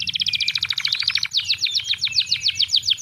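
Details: Canary singing, used to spur lazy canaries that rarely sing: a dense, rapid trill of bright repeated high notes running unbroken, with a thin sustained whistle woven through the first half and a soft low hum beneath.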